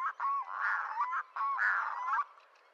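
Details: Red-throated diver calling in two drawn-out, nasal, wailing bursts with a sharp upward flick at each end, separated by a short gap, then fading to quiet.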